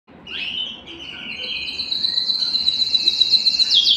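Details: Canary song meant to stimulate males and excite females for breeding: long sustained trilled rolls at high pitch, steady and buzzy, over a low background hiss.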